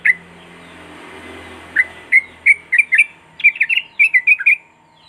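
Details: Lively Sooty-headed bulbul singing, meant to coax quiet birds into song: spaced sharp chirps build into a dense, hurried run of bubbly notes, with a faint steady tone underneath.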